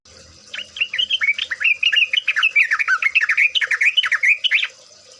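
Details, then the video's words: Sooty-headed bulbul (trucukan) singing gacor, a lure to make birds sing: one sustained, rapid stream of liquid, warbled notes lasting about four seconds, almost no background noise. "pancingan trucuk bahan ombyokan.., pancingan trucuk agar bunyi, trucukan ropel, trucukan gacor.."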